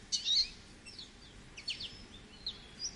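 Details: American goldfinch singing: high, thin twittering chirps and short warbled notes in brief bursts, one near the start, another around the middle and two more toward the end, over a faint low background hum.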